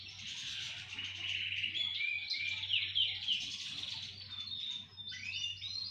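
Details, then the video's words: A chorus of several singing canaries: dense overlapping warbles and rapid trills run together continuously, with a faint low hum underneath. "Хор канареек. Пение."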